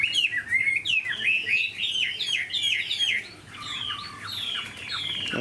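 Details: Caged Chinese hwamei singing fast, rich whistled phrases with rolling slurs, easing into softer descending notes toward the end, followed by brief louder phrases.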